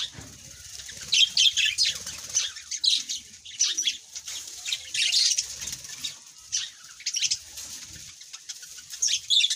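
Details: Busy high chirping from several birds, with rapid overlapping tweets arriving in bursts about every second over a faint steady hiss.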